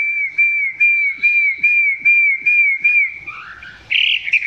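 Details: Chinese hwamei recorded close up, song not at full strength. A long steady whistle wavers gently for about three seconds over soft taps, then turns into a brief burst of rough, noisy notes.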